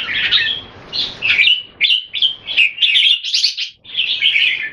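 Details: Red-whiskered bulbul kept as a caged bird in Singapore, giving display song against a rival: a run of short whistled, slurred phrases spaced about half a second apart, then a longer warbling burst.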